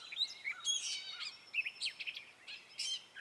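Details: Male Gray Catbird singing in spring, its song a string of short imitative notes: squeaky whistled slurs, harsh buzzy bursts and quick chips strung together in an uneven, chattering sequence.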